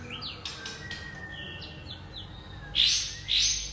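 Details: Young wild white-rumped shama from the forest: faint rising trilled notes and a low drawn whistle, then two loud harsh bursting phrases near the end.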